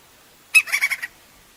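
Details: Outdoors, a crimson-crested woodpecker sounds a sharp opening note followed by four quick, harsh, nasal notes in a half-second burst, with a clean, quiet background.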